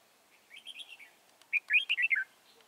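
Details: Red-whiskered bulbul trapped near Chùa Hương on 24 March 2018: a soft rippling warble, then a louder, quick string of bright whistled notes that rise and fall.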